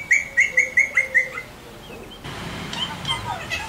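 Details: Parrot whistling during a training session: a run of six clear, evenly spaced whistled notes repeated about every quarter second, followed by faint softer high whistles over a background hiss.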